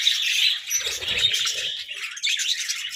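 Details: Budgies feeding on fresh vegetables, chirping loudly: chattering high warbles and squeaky notes, a short dip then a renewed burst of twittering, with soft low thuds midway.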